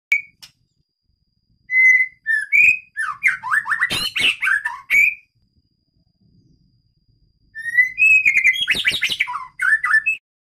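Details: White-rumped shama of the Medan type, caged in its breeding aviary, sings two bursts: clear drawn-out whistles with ringing overtones lead into fast, varied chattering and slurred notes, separated by about two seconds of silence.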